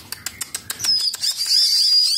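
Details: A 17-day-old hybrid myna chick (Javan myna × Bali myna) at feeding time gives a quick run of sharp, clicking chips, about six a second, then a long, thin, high hiss-like squeal; a man speaks nearby.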